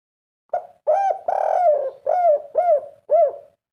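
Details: A 'kuk 3' spotted dove phrase: a short note, a longer drawn-out coo, then four clear, mellow, arched coos in steady succession, each dipping at its close, with no other sounds.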